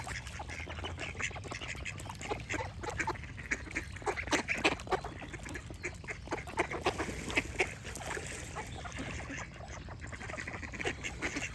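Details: Ducks quacking in a dense, uneven string of coarse, honking calls, several per second at times, mixed with a constant texture of chattering birds and clicks.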